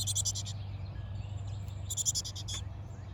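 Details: Baby chickadees calling from a garden birdhouse in Hardiness Zone 6a, mother bird close by at a feeder: two short bursts of shrill, rapidly stuttered chirps separated by a pause of about a second and a half, low hum underneath.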